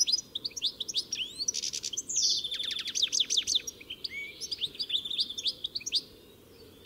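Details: European goldfinch delivering a sustained, jumbled song of fast chirps, trills and liquid twitters, rising in intensity mid-phrase, then thinning to scattered notes.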